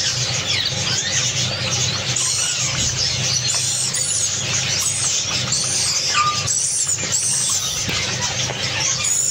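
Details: Tame pair of Java sparrows from Malaysia giving a steady stream of high, thin chirps and short arched whistled notes, over a constant low hum.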